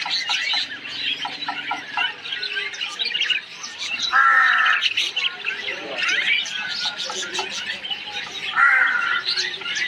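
A flock of parakeets chatters continuously with busy, overlapping chirps and harsher squawks, louder bursts rising around the fourth and ninth seconds.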